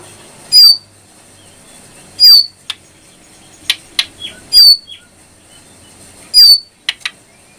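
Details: Brown prinia song used as a tutor recording for keepers: sharp, loud downslurred whistled notes repeated about every two seconds, separated by short dry clicks and brief squeaks, over a quiet background.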